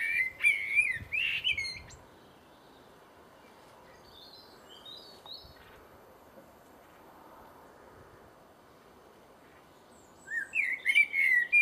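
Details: A blackbird mimics a phone, giving a bright, warbling electronic-sounding trill like a ringtone at the start and again at the end, with a few faint high notes between and quiet outdoor background.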